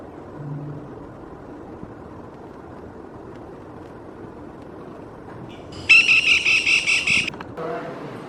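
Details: Lesser Goldenback (Black-rumped flameback) woodpecker giving a brief, loud rattling-whinnying call of about eight rapid, ringing notes on one pitch, then a short lower squeal, after a long quiet stretch of faint background noise.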